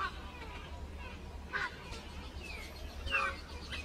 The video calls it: Myna Sing To Each other